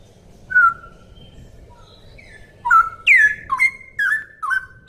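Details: Straw-headed bulbul (cucak rowo) giving a clear 'ropel' style song meant as a tutor recording for other songbirds: a lone whistled note, a pause, then loud bubbly phrases sweeping between low and high whistles, over a steady low hum.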